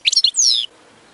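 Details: A few sharp goldfinch chirps followed by a drawn-out, descending whistled note, from high singing training exercises for the bird.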